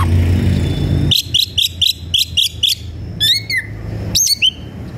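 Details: Aggressive White-rumped shama looking for a rival to fight. A run of seven rapid, evenly spaced bright chirps is followed by rippling, descending whistled phrases, with low background hum.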